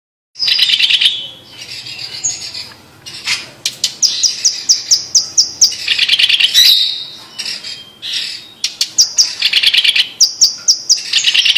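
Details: Blue-masked leafbird, a Sumatran endemic of humid montane forest, singing: series of high, sharp repeated notes alternating with buzzy, chattering trilled bursts, several phrases with brief pauses between.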